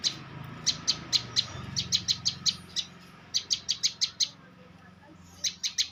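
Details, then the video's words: Bar-winged prinia, a champion bird, delivering short trains of crisp, high ticking notes, five to eight per run, separated by brief pauses over a steady low hum. "Suara Prenjak Lumut Juara"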